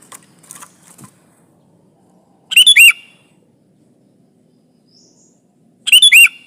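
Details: Sooty-headed bulbul song serving as a trapping lure against a rival: faint scratchy notes at first, then two loud quick bubbling phrases with slurred whistles, spaced about three and a half seconds apart.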